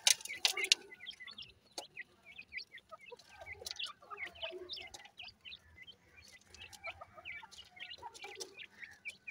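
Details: Grey francolin chicks call in bright, high chirps, scattered and overlapping over several seconds. Sharp clicks and rustles sound at the start, and a soft low rumble runs beneath.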